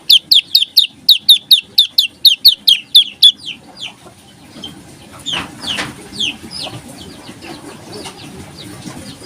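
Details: Olive-backed tailorbird delivering a rapid 'ngebreen' burst: more than three seconds of quick, regular, high downslurred chips that then trail off into scattered softer notes amid faint low background noise.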